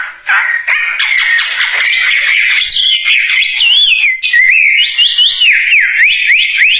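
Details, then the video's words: Chinese hwamei (wambie) in vigorous song, opening with scratchy, rapid notes that give way to long, clear whistles swooping up and down in smooth loops. "Kicauan Burung Wambie Gacor Dorr"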